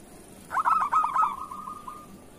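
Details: Kerot-style local zebra dove singing, used as master song for doves. A loud cluster of rapid staccato coos runs into a long, fading, even purring trill lasting over a second.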